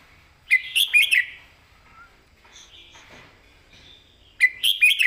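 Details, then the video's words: Caged red-whiskered bulbul singing a clear southern-style master song used for training other birds; two bursts of quick, loud whistled notes around a faint quieter middle passage. "ครูเพลงแม่บท"ร้องชัด สำนวนใต้แม่บท นกเสียงทอง#นกกรงหัวจุก #เสียงนกกรงหัวจุก"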